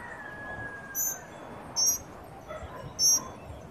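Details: A family of tropical mockingbirds with babies eating at a Trinidad birdfeeder on a sunny day. Piercing, high, clipped chirps sound three or four times in under four seconds, with a faint lower tone and background hiss.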